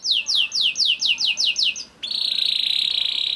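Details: Young canary (kenari paud) song used to trigger singing in other canaries: eight loud downward-swept whistles in a row, a short pause, then a sustained buzzy roll.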